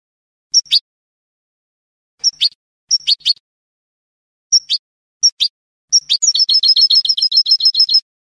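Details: European goldfinch of Spanish type, salon-style song without endings from a training recording: separate sharp, high notes in pairs, then a fast run of repeated metallic twittering trills at the end; no other sounds.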